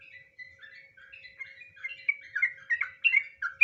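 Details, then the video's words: Sooty-headed bulbul in nggaruda ngropel style: a continuous bubbling warble of liquid whistled notes, growing louder and more varied toward the end, with no other sounds. "suara asli burung trucukan, trucuk nggaruda ngropel"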